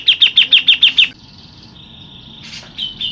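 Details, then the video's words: Local Grey-cheeked Bulbul shot phrase: seven punchy, evenly repeated notes, then a faint level whistle, a brief rough burst and two closing chirps. "TEMBAKAN JENGGOT LOKAL NGEROL PANJANG AMPUH BUAT PANCINGAN"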